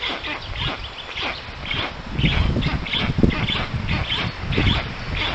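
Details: At a black stork nest in Puszcza Notecka forest, Poland, 13 June 2019, an unfamiliar adult stork visits the young. Hoarse, wheezy bursts come in a steady run about twice a second over low rumbling and rustle.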